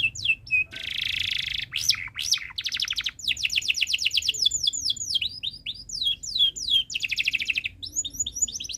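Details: Canary singing as a tutor for young birds to learn from, long chirping song: a buzzy roll opens, then near-continuous fast trills of downward-sweeping notes with changing speed, some sharp upswept whistles between.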